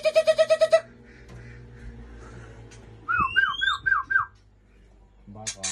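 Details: White-rumped shama, a male from Aceh with a female at Ujong Pancu: a rapid buzzy pulsed series opens, then after a quiet hum a run of five looping whistled notes, ending in a harsh burst.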